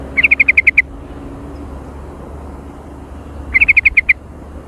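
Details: Active, noisy sooty-headed bulbul lure recording with jontrot. Two bright bursts of seven or eight rapid, even, chattering notes come about three seconds apart, with a faint steady hum underneath.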